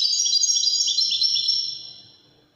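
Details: Goldfinch delivering Moroccan wedani-style song: a dense, high, tinkling stream of quick chirps and trills that slowly tapers off into silence over the final second.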